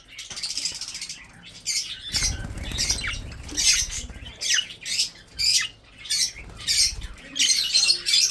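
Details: Breeding budgerigars chattering almost continuously in rasping bursts, with low rustling and patter from the birds moving underneath.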